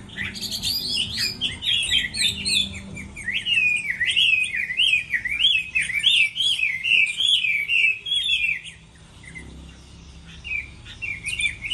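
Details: A Chinese hwamei sings competitively while moulting, pouring out a long run of zigzagging, bright whistled notes in quick succession, easing into softer phrases near the close.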